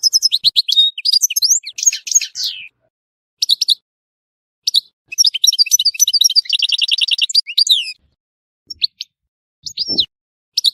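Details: European goldfinch from Tissemsilt singing in bursts of fast, bright twittering with buzzy trilled passages, separated by short silences and ending in sparse slurred chirps, one with a low knock.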